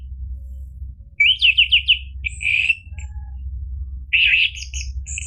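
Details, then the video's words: Orange-headed thrush song used as a lure to get a quiet bird to answer: a quick series of five rising whistled notes, a buzzy warble, a pause, then a harsh burst and high thin notes. "PANCINGAN ANIS MERAH biar bunyi NYAUT JADI GACOR NGEPLONG ampuh buat terapi macet bunyi"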